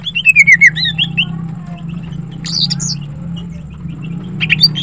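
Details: Greater green leafbird, female, in morning song: a fast series of clear descending whistles, then a loud high scratchy burst and scattered softer notes, with a droning hum in the background.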